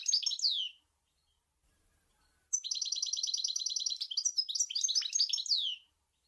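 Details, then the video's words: Goldfinch from Sour El Gouzlane singing: a falling twitter, a pause, then a long rapid buzzy trill that dissolves into bright tumbling slurred notes. "Chant Chardonneret sour el gouzlane"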